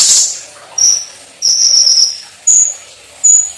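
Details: Olive-backed sunbird (konin) singing vigorously with shooting cucak cungkok phrases: very high thin whistles, a short one, a longer wavering one, then two brief sharp notes in quick succession.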